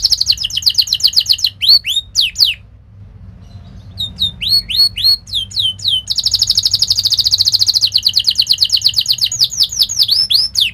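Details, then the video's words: Canary song to prompt young canaries to roll: rapid chirping trill with falling sweeps, a short quiet gap, then curving whistles leading into a long buzzy rolling trill and more sweeps. "Kenari gacor Speed Tajam cuit cuit NgeroL | pancingan kenari ini Sukses bikin kenari Ngerol EMOSI"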